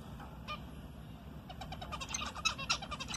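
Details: Pet zebra finch at home, calling back while its owner talks to it: after a quiet start with one faint note, a quick run of short, buzzy, nasal notes begins halfway through and grows louder toward the end.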